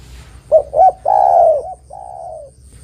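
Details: Spotted dove cooing for luring and trapping other doves: two quick hooted notes, a long strong coo, then a softer drawn-out trailing coo, with nothing else audible.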